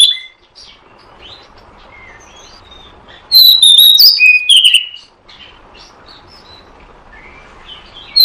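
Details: Oriental magpie-robin lure call for trapping: soft scattered whistles build to one loud burst of sharp sliding notes in the middle, then fade back to quiet chirps.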